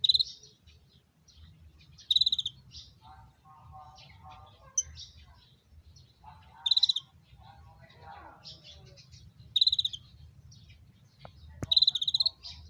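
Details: Konin bird calling during mating: repeated short bursts of fast pulsed high trills every two to three seconds, with lower chattering and soft voices in the background.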